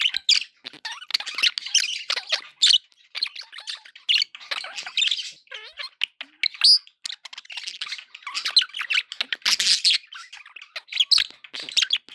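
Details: Pet budgies chattering, played as company for other pet parakeets: busy overlapping twitters, scratchy squawks and quick whistled chirps from several birds, running almost without a break and swelling into louder bursts.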